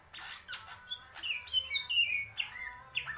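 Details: Greater green leafbird, purwo mendem gadong style, with a quick jumble of slurred whistles and buzzy chips over a low background hum.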